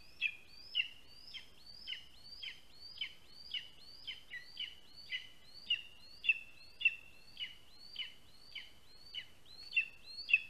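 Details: Eaglet of the lesser spotted eagle begging insistently for food from a parent at a spruce-tree nest in Latvia, July 2020 afternoon; a fast, steady series of about eighteen piercing whistled yelps with rising lead-ins.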